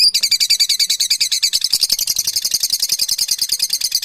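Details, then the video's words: Parrots giving a dense, continuous chatter of rapid high-pitched chirps and twitters, many birds overlapping in a fast, uneven rhythm for the whole stretch, with no other sounds standing out. "Beautiful sounds, parrots are."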